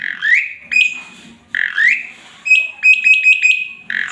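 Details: Male Asian pied starling in full, lively song with a varied repertoire, kept as a master song: rising whistled phrases alternate with a long level whistle and quick stuttering notes, all loud and clear with little background.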